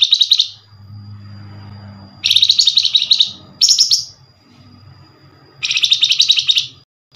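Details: Flamboyan bird call used as a lure to draw a reply from other Flamboyan: high, dense buzzy trilled bursts of rapid chips, four bursts of about a second each separated by quieter gaps with low background hum.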